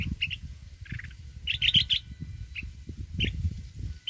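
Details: Mountain red-whiskered bulbul singing in a wild voice: brisk, repeated chirps and a short cluster of bright whistled notes, with steady low rumbling noise throughout.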